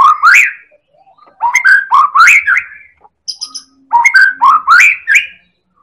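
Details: Lure song of a Medan-type white-rumped shama, a champion-class bird, meant to provoke other birds into singing: loud rich bursts of upslurred whistles and chattering phrases with brief pauses, plus a high tinkling note.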